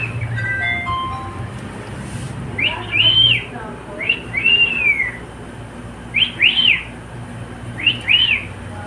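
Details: Male pet cockatiel singing, said to love singing with a companion: after faint lower whistles at the start, four short arched whistled phrases, each a quick rising then falling note pair, spaced about every two seconds.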